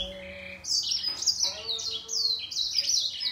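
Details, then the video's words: Caged-style singing duel between a grey singer finch and a green singer: quick rising and falling high twitters repeated in rapid bursts, the two voices blending in a continuous bright warble. "Gery singer finch VS Green singer singing fight 灰燕和金青斗唱"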